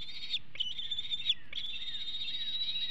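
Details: Hanover bald eagle eaglet, 2021, caught on a nest cam during food aggression shortly before leaving the nest; high sustained whistled cries separated by a short pause, with faint falling slurs and a low steady rumble.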